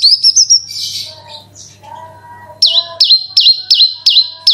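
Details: Bushlark singing a lure song meant to trigger other branjangan, 'gacor' roll style: a high wavering whistle and buzzy burst, a quiet spell with low tones, then sharp dipping whistled notes repeated about every half second over a faint hum.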